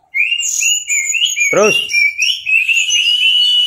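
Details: Caged Orange-headed thrush singing in the drawn-out teler style as a tutor song: long clear whistled notes that slide and waver, broken once by a short burst of a man's voice mid-clip.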